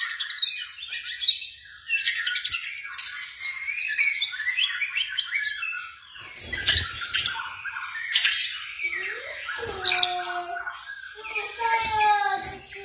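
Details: White-rumped shama song used to provoke a quiet bird into singing, for morning or evening: a rich, varied stream of whistles, rapid chirps and trills, with lower sliding whistled notes near the end.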